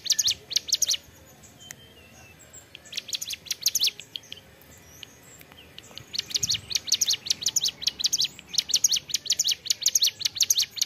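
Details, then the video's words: Ciblek gunung, a prinia, singing persistently in the ceplekan style: bursts of sharp, high, rapidly repeated chip notes, about two per second, broken by a short pause, then resuming in a long rhythmic run. "CIBLEK GUNUNG GACOR CEPLEKAN"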